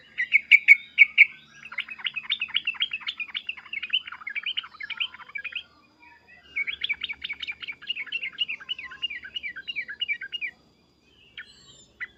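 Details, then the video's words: Sooty-headed bulbul calling emotionally with loud 'cuk-cuk' and 'uplik-uplik' notes to make others reply: a few strong opening notes, then long rapid chattering runs, a pause, and another run. "suara trucukan emosi cukcuk keras dan uplikuplik ini menjadikan agar burung trucuk gacor nyaut emosi"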